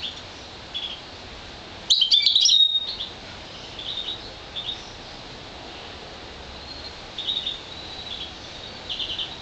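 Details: Goldfinch and green fife canary mule, one year old and colour-fed, giving a short loud jumble of high twittering notes near the start, then scattered faint chirps through a quiet background.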